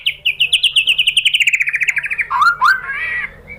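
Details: White-rumped shama lure song meant to draw other shamas into answering: about twenty quick notes in a gently descending series, then a harsher slurred note and a short warble.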